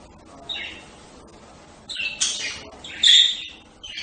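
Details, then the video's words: Budgerigars chatter in short, scratchy, high-pitched squawks and chirps, coming in bursts every second or so. "صوت طيور هند(البادجي)"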